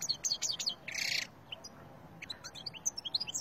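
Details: Wild Algerian European goldfinch singing, recorded in 2020: quick, thin, high twittering notes with a brief buzzy burst, fairly soft over a constant low background rumble.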